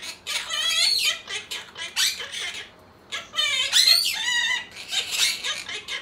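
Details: Several caged pet monk parakeets sing human tunes in chorus: a series of harsh, voice-like harmonic phrases, some sliding up and down, broken by a short silence near the middle.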